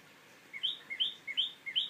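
A tailorbird gives loud, sharp two-note phrases, a lower note rising to a higher one, repeated about every 0.4 seconds in a quick 'to-wit, to-wit' series.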